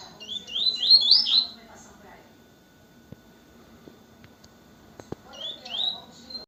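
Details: Double-collared seedeater, 'corta canto' song: a burst of rapid rising whistled notes, a quiet pause with a few clicks, then a shorter whistled phrase, with faint voices in the background.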